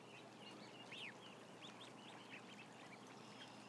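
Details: Peeping ducklings, about 1,000 together, with quick high arched chirps repeated many times per second, one louder rising-then-falling peep standing out near the start, over a low constant hum.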